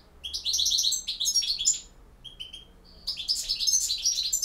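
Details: A Bosnian European goldfinch delivers campero song, a tumbling run of bright, rapid chirps and jingling trills, then a brief pause with a few clear whistled notes before another dense twittering burst.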